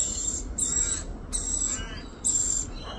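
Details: Rainbow lorikeet in Australia, a mother feeding her baby: three harsh, hissing, high-pitched bursts about half a second each, spaced under a second apart, with a faint lower rasping note between them over steady low background rumble.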